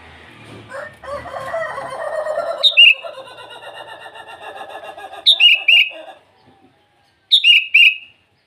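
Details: Sooty-headed bulbul singing in the morning to call rivals, three short bubbly phrases of quick notes sliding down, about two seconds apart, following a spell of low rough chattering noise.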